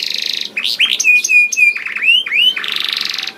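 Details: Canary in full constant song, meant as a lure for other canaries: buzzy rasping opening, several flat sustained whistles, rising slurred notes, then a dense buzzy close.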